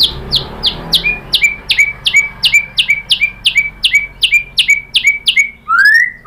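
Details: Shama lure song, a white-rumped shama phrase used to draw other shamas into song; about fifteen sharp downslurred whistles delivered rhythmically, roughly three per second, closing with a single long rising whistle.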